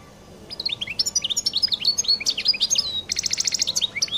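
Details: European goldfinch singing the distinctive 'qal' song, a sustained stream of bright, high chirps and liquid twitters that breaks into a fast, dry buzzy trill near the end.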